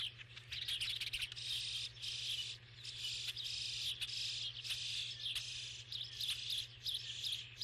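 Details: Starlings give a continuous wash of scratchy, high-pitched chirps and rasps in surging bursts roughly every second. Sharp clicks are scattered through it over a constant low hum.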